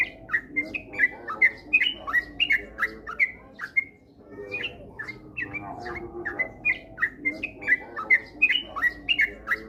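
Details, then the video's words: Sooty-headed bulbul singing a ropel-style lure to get birds singing often: dense runs of fast chirped and slurred notes, briefly pausing near the middle, then resuming, with a faint low background rumble. "pancingan trucukan agar cepat ropel gacor rajin bunyi"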